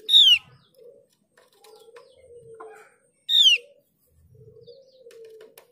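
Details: A Mees's white-eye, used as a lure to make other white-eyes sing, gives two loud falling whistles about three seconds apart, with a soft droning hum in the background.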